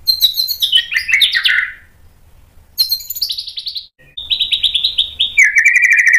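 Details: White-rumped shama singing in a recording meant to provoke a reply: loud, varied phrases of high whistles sliding downward, a brief silence, then rapid repeated chips ending in a steady lower buzzing trill.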